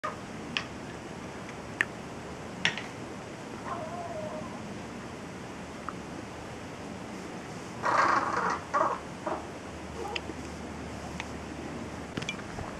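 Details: Wild crow perched in a tree above, recorded in January 2013, that mimics "hello" and makes odd noises with visible throat gyrations; a loud, rough, harmonic burst of strange sounds arrives around eight seconds, amid scattered sharp clicks and background noise.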